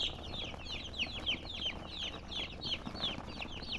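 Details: High, piercing chirps from colored chickens, every note a quick downward slide, coming roughly three per second with slightly uneven spacing and other peeps faintly behind.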